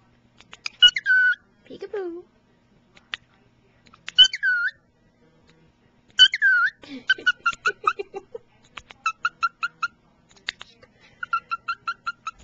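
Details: A pet cockatiel beside its owner at a computer whistles bright, sliding phrases mixed with chattering, speech-like mimicry, including kisses, laughs, "peek-a-boo" and an attempt at the Andy Griffith theme.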